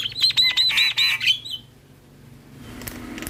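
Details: Javan myna singing vigorously while nodding, kept as a lure and tutor song for other starlings: a quick burst of bright chirps and whistled notes with a rising slur for about a second and a half, then near silence.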